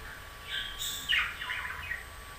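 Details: Budgerigar giving soft, busy warbled chatter, a run of quick bright chirps and a short rising squeak in the middle, over a steady low background hum.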